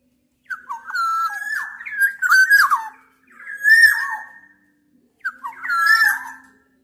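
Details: Black-naped Oriole whistling: three liquid, fluty phrases with slurred, dropping notes and a nasal edge, spaced by short silences.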